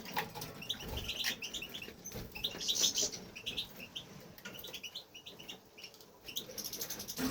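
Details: Aviary European goldfinch male in sustained song, twittering steadily: clusters of high tinkling notes and short trills, a brief buzzy burst in the middle, then more rapid chirps, with soft cage rustling behind.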